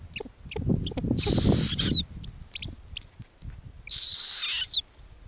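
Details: Snowy owl owlets on an Arctic nest, fed lemmings by their mother. Two harsh, hissing screeches, each about a second long, separated by a pause. Low rustling and thumping sounds underneath.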